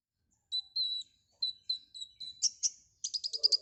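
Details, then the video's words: Konin (white-rumped shama) singing actively with filler phrases: thin high whistles given about twice a second, then sharp notes rising into a fast buzzy rattle with soft lower chatter. "Suara burung Konin GACOR FULL ISIAN"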